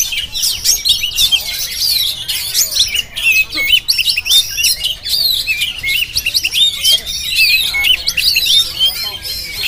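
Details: Kacer jampang (oriental magpie-robin) recorded on a GoPro, pouring out a dense, continuous song of high, rapid, varied whistles and chirps, with no pauses.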